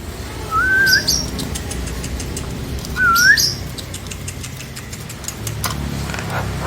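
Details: Nias hill myna voice used as a lure so silent, reluctant mynas answer and sing: two clear rising, slightly wavering whistles about two seconds apart, over a steady low hum of traffic.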